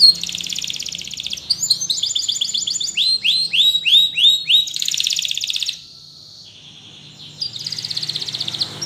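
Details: Singing Spanish Timbrado canary with a training song: buzzy high rolls and a run of quick descending notes, then a brief silence before the buzzy trill starts again.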